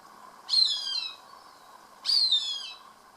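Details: While eating a captured rat, a Cooper's hawk utters two loud, high, whining calls that slide downward, spaced about one and a half seconds apart, with little other sound.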